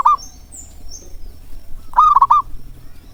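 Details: A local zebra dove, recorded as a lure for reluctant birds, gives one full phrase: a drawn note then three quick rolling coos. A brief clipped note opens the recording, and faint high chirps sound in the background.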